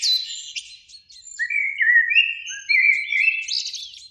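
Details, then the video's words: Two blackbirds singing in spring from a beech tree near a lake in the evening sun: clear, slurred whistles wandering up and down, laced with thin, high twittering notes, with no other sounds behind. "Relaxing Birdsong"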